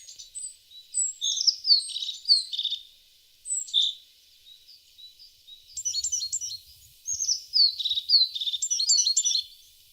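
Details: Singing tit giving bursts of high twittering with falling slurred notes and rapid chattering trills, separated by short gaps; the second half turns busier and denser, with faint low rumbles beneath.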